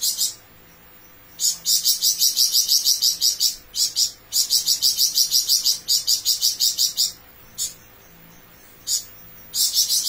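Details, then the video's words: Flamboyan bird in full song with long rapid bursts: several dense runs of high, sizzling, trilled notes lasting one to three seconds each, separated by short pauses and isolated single notes. "Burung Flamboyan Gacor Besetan Panjang"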